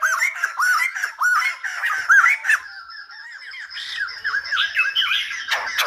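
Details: Silver-headed babbler, its song compared to a Lumba dancer, giving quick runs of bouncy arched notes, fading slightly mid-way, then picking up again with a similar loose series.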